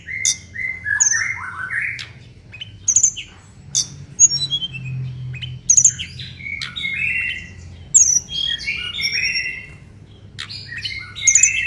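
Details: Mangrove blue flycatcher in full song: bursts of clear whistles and warbled phrases with high sharp upslurred notes, separated by brief pauses every second or two, over a steady low background hum.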